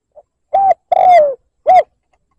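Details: Spotted dove lure call used to provoke a rival, in the cooing style: a faint soft note, then three mellow coos, a short level coo, a long coo sliding downward, and a short arched coo, with no other sounds.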